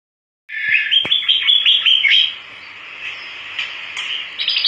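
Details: Java sparrow in vigorous song: a rapid, dense run of bright chirps and clicking notes lasting about two seconds, then softer twittering and a final burst of high chips.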